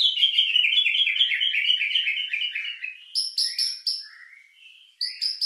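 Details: Lure song of a white-rumped shama, used to rouse emotion and breeding drive: a long fast run of chattering notes sliding slowly downward, followed by sharp high repeated notes and a short whistled phrase.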